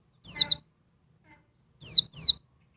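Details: Noisy female oriental white-eye calling to stir up a male: three sharp, high descending buzzy notes, the first alone and the last two in a quick pair, separated by silence.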